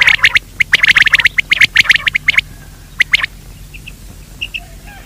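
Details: Quail lure call for the daytime: a rapid series of harsh, raspy clicks that stops abruptly, followed by a short burst and a few soft pips.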